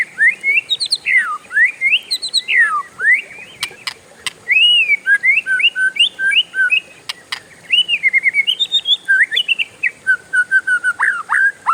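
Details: Kept oriental magpie-robin pouring out a long nonstop roll: varied whistled slurs, chattering runs and rapid repeated notes flowing for over ten seconds, with a few sharp clicks and a faint steady high hum.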